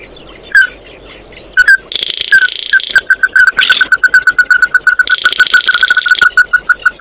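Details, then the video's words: Oriental white-eye calling the flock: sharp chip notes, then buzzy high twitter bursts over a rapid, steady run of short repeated notes. "Tiếng kêu của chim Tí Hỉ, Chim Mắt Đỏ hót gọi bầy"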